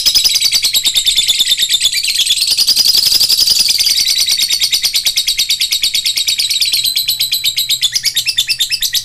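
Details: Lovebird song used as a lure recording for fighter birds: a dense, continuous high-pitched chatter of rapid twittering notes, fast buzzy pulses throughout, swelling in the middle and breaking into clipped repeated chirps near the end.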